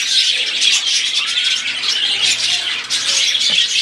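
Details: Flock of budgerigars warbling: overlapping bright chirps, buzzy squeaks and short whistles run on steadily throughout, with a few soft lower tones beneath.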